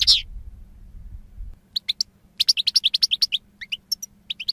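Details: Goldfinch song opening with a buzzy note, then after a pause a rapid series of sharp twittering chirps, about four per second, over a low steady hum.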